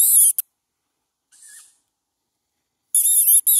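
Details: Hungry young tawny owl begging for food with loud, rasping, high screeches. The hiss opens and closes the clip, and a fainter wheeze sounds in between.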